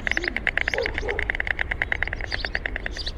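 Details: A quick, even burst of dry knocking from a white stork, roughly a dozen clacks per second. Soft bird twitters and a low background hum accompany it.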